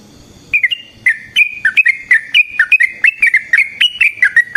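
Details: Yellow-vented bulbul (trucukan) in full long, rapid song, used as a lure to provoke other bulbuls and to train them: short clear whistled notes, alternating rising and falling slurs, delivered in a steady quick run after a brief quiet start.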